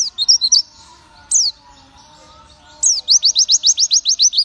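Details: White-eye (zosterops, locally called pleci) singing energetically: bright high chirps, then a fast run of about twelve evenly spaced, downslurred whistled notes, clean and loud against a quiet background.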